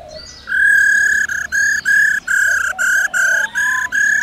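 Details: A laughingthrush calls wild birds with forest-style song, a female alongside: an unbroken chain of loud, level, ringing notes pulsing in short bursts about every quarter second.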